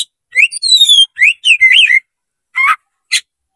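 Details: Oriental magpie-robin (kacer) opening its tail as a fighting lure: long descending high whistles and warbled rising notes, followed by two separate short chirps.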